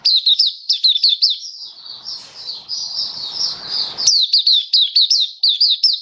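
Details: Oriental white-eye singing in captivity: bright repeated down-slurred chirps in quick series, about one and a half per second, broken by a smoother run of high twittering.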